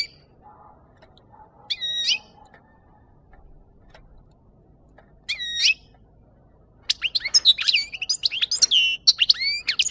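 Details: European goldfinch song used as a capture lure: two isolated squeaky, nasal calls several seconds apart, then a dense burst of rapid twittering and slurred notes.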